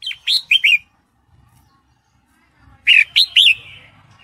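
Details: Breeding-condition female sooty-headed bulbul calling for the male: two bursts of three or four sharp, swooping chirps about two and a half seconds apart, over a faint low background hum.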